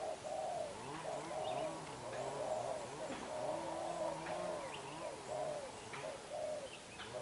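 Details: Spotted dove, a young black-eyed decoy, pours out fierce đập gù cooing: deep, rounded coos in quick sequences roughly one per second, over a low droning background and faint chirping.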